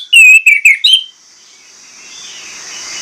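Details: Lure song of an Orange-headed thrush, sung persistently to spur other birds. A single quick run of four loud, clear whistled notes with slight downward slurs, then fading hiss.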